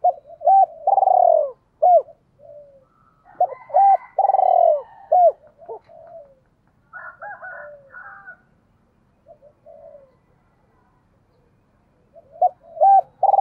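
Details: Spotted dove used as a decoy, cooing to lure and provoke wild doves. Loud bursts of deep, hollow coos in short groups, with a quiet gap in the middle, then softer, distant coos before a final loud run.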